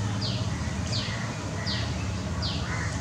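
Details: One of a pair of red-whiskered bulbuls (Pycnonotus jocosus) in Kolkata, West Bengal, India, on 10 April 2020, calling four bright, falling notes, one about every two-thirds of a second, over a steady low background rumble.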